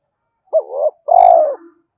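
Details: Spotted dove cooing to lure wild birds: one phrase of a short warbled hoot and a long, mellow, downward-sliding coo ending in a soft low trail.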